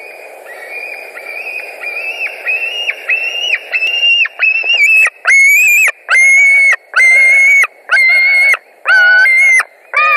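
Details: White-tailed eagle screaming at a nest in Latvia on 21 July 2019, around 20:49, as an eagle arrives for a short visit; a run of rising harmonic calls builds into loud, long, shrill screams repeated about once a second.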